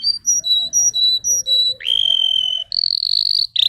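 A canary sings bright, high notes alternating in quick pairs, then shifts into a steady buzzing roll and a fast, shrill trill. No other sounds.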